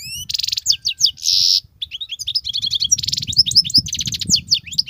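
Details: Excellent wild European goldfinch in continuous song with batbatat phrases: rich, fast twittering, a loud harsh buzzy rasp, then repeated tinkling notes and buzzy trills, over faint low rumble.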